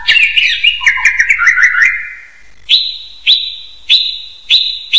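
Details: Hill myna producing a jumble of wavering, gurgling whistles for two seconds, then after a pause a series of five clear, level high whistles spaced roughly every half second.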